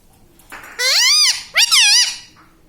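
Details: Pet parrot said to be talking, saying "mummy papa"; two loud, arched, harmonic-rich squawking utterances, each rising then falling, about half a second apart, in a quiet background.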